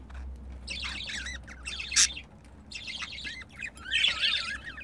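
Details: Pet budgerigar pair while mating, giving four bursts of chattering notes mixed with falling and wavering whistles, one sharp high click in the middle, low hum behind.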